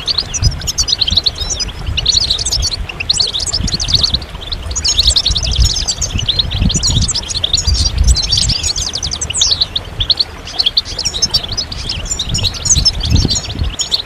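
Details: Collective chatter of European goldfinches, calls that push silent males to start singing; fourteen seconds of steady, crowded high chirping and fast liquid trills, over a faint low rumble.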